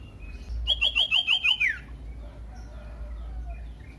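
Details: Common iora song used as a lure to make other ioras sing: a fast series of six loud, evenly spaced whistled notes ending in a descending slur, with faint distant chirps afterward.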